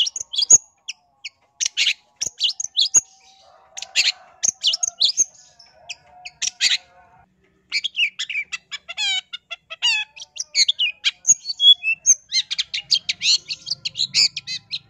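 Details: Long-tailed shrike in active song, used as a lure to provoke other shrikes: dense bursts of sharp, high chirps and rapid trills, a pause near the middle, then a run of buzzy, descending rattling notes.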